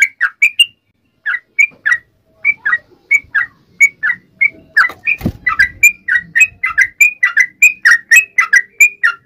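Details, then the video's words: Calling its companions, a sooty-headed bulbul opens with rapid whistles, pauses briefly, then resumes with spaced notes building into a dense chattering run; a faint low thud is heard midway. "trucukan gacor MEMANGGIL TEMANNYA"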